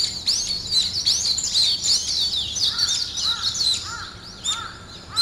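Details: Morning chorus of several birds: high, rapid chirping and twittering that thins out partway through. Lower, clear, slurred whistles repeat a few times near the end.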